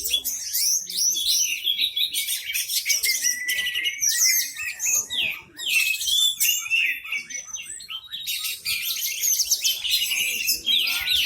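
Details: Orange-headed thrush singing at full volume, tail fanned, acting as a lure bird that sets other birds singing; rich sequences of sharp whistles, slurred upsweeps and buzzy chatter, with brief dips between bursts.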